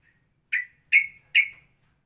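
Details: Straw-headed bulbul in a ropelan song variation, likened to Cucak Rowo mixed with Cucak Jowo: three loud, sharp whistled notes, each with a slurred trailing tail, spaced about half a second apart in silence.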